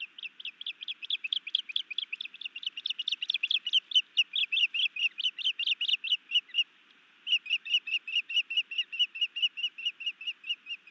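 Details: New male osprey at a Hellgate Canyon nest, Missoula, Montana, on 11 May 2019 in the afternoon, calling during a sky dance as he brings his mate a fish: fast run of high, whistled chirps, about two per second, a brief pause, then the series resumes.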